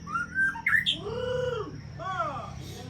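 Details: White-rumped shama, known locally as murai Aceh, a champion breeding bird, singing clear whistled notes: rising and falling slurred phrases, a low drawn-out arched whistle, then shorter arched notes.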